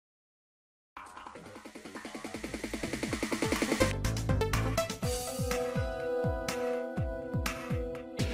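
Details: Electronic dance music with pulsing synth notes and a heavy beat plays after a second of silence, with no animal voice.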